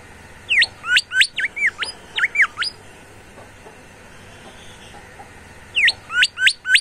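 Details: A bimoli in full vigorous song gives a rapid burst of about nine sharp, upward-sweeping whistled notes, falls silent for nearly three seconds, then resumes with another quick run of four rising whistles.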